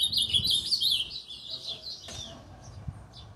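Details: Frenzied ultramarine grosbeak song: rapid, tumbling warbled whistles rising and falling for about two seconds, followed by a few softer scattered notes and a sharp click.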